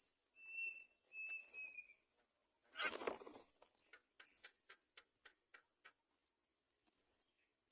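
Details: Great myna at its nest while feeding young: thin high chirps and short whistled notes, a burst of rustling flutter near the middle, then scattered faint ticks and a final rising whistle.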